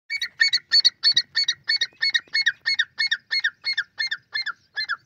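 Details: Grey francolin in jungle calling its mate and companions to it: a loud, harsh, squeaky note repeated rapidly and very evenly, about three times a second, without pause, over a quiet background.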